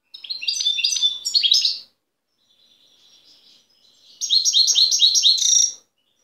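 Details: Free-living goldfinch from Tiaret, taped in 2015: a jangling, twittery phrase, a soft thin trill, then a second quick run of sharp, high bell-like notes.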